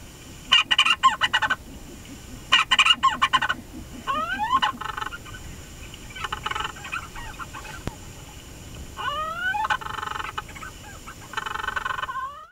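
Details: Leach's storm petrel on St Kilda, Scotland, gives bursts of hoarse, rapid chattering notes, some ending in quick rising slurred whistles, repeated every couple of seconds over a faint low rumble.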